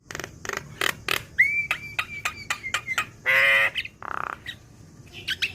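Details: Juvenile black-winged myna training song mixing sharp clicks, a long level whistle, a loud harsh rasp and a rattling buzzy note, followed by high squeaks.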